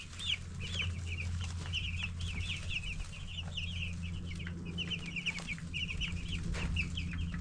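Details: Ten-day-old broiler chicks chirping together, a run of short high peeps repeated rapidly through the whole stretch, accompanied by a steady low mechanical hum and light tapping.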